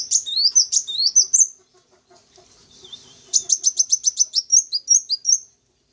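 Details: High-pitched sunbird chatter used as a bait call for wild birds: a quick tumbling run of sharp whistled notes, a pause with faint rustling, then a rapid series of repeated clipped notes ending in short slurred whistles.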